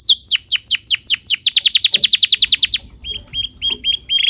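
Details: Canary singing, meant as a master recording for young canaries: repeated downward-swept whistles speeding into a fast series, then short clipped whistled notes and a closing trill.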